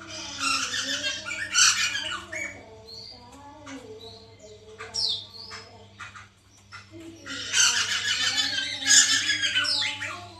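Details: White-crested laughingthrush recording used to lure a captive bird into singing: two loud bursts of raucous, cackling chatter at the start and end, separated by quieter scattered notes, over a steady low electrical hum.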